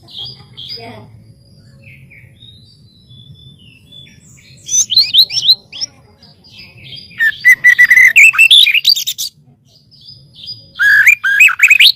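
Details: White-rumped shama song serving as master audio for bird training: quiet opening with faint notes, then bursts of rapid, jumbled whistles and chattering trills in two loud spells near the end.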